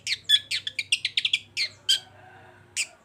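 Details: Long-tailed shrike kept as a singing bird in Indonesia, giving a fast run of scratchy, chattering notes that slows into a few separate harsh notes with pauses between them.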